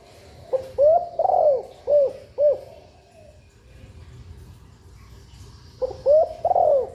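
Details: Spotted dove hen's breeding-stimulation call: a phrase of soft low coos, some short, one longer and rolling, then a pause with low background murmur before the phrase starts again.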